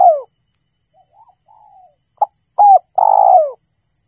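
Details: Spotted dove lure call: a long coo trails off downward, soft faint coos follow, then a full phrase of a brief clipped note, a short hooked coo and a long, throaty, falling coo, with a constant faint high-pitched hum behind.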